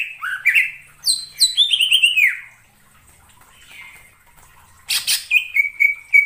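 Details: Cucak ijo singing a trapping lure: upslurred whistles and bright descending warbled phrases, a quiet gap, then a harsh burst and a steady run of even, repeated whistled notes.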